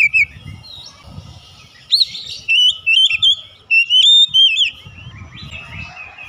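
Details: Oriental magpie-robin song meant to lure other birds into singing; after a quiet start, clear whistled notes come in short bursts with wavy, rising and falling phrases, over low background rumble.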